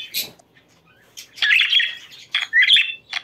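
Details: Budgerigar song played to bring pet birds into breeding condition: a quiet start, then bursts of scratchy chatter and short whistled chirps, with a brief high squeak near the beginning.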